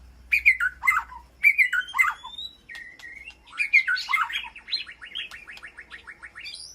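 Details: Calling to its flock inside an aviary, a White-rumped shama gives paired warbled phrases, a brief steady whistle, then a rapid, fading chatter of short notes.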